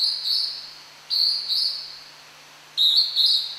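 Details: Hodgson's hawk-cuckoo (ジュウイチ) singing in the wild at Tomin-no-Mori, Tokyo, heard but hard to spot: high two-part whistled phrases, the second note rising, repeated about every one to two seconds.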